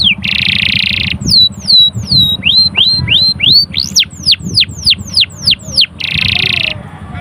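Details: Canary in full song showing off learned sogon material: fast whistled downward and upward sweeps repeated in quick series, broken by two buzzy sustained notes at start and end, over low rumbling background noise.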